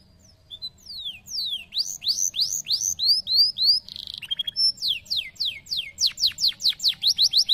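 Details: Canary singing a rapid, varied song: repeated downward-sweeping whistled notes in quick series, a brief buzzy burst, then fast trills of steep descending notes, about three per second, over a faint low hum.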